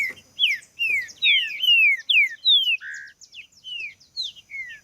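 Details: Green-winged saltator song used to warm up other saltators and get them singing; a fast series of clear whistled notes, each sliding downward, strung together about two per second with brief pauses.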